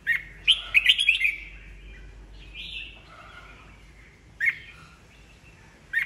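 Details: Old wild-caught red-whiskered bulbul, a kept cage bird, singing in the full 'bọng' style used to provoke newly caught birds into competitive singing. A rich warbled burst is followed by a smooth whistle and two short sharp notes, with quiet gaps between.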